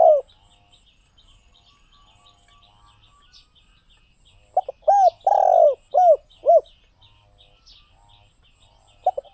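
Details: Spotted dove delivering a cooing phrase: stuttered short coos, a long vibrating coo, then two falling arched notes, with a fragment before and after; faint chirps of small birds fill the quiet gaps.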